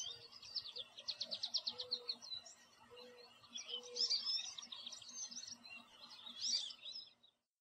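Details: An American goldfinch sitting in a backyard tree sings a long, high, rambling twitter: a quick run of repeated chips, then varied squeaky warbles, over a faint low hum.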